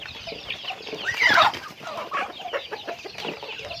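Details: Chickens during daily activity: one loud, drawn-out call sweeps downward just after the first second, followed by shorter clucks and chirps from the rest of the flock.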